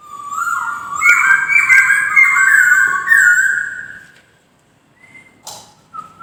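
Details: White-crested laughingthrush pouring out a three-second run of bright, overlapping whistles rising and falling, followed by near silence with a short clipped note and a faint whistle.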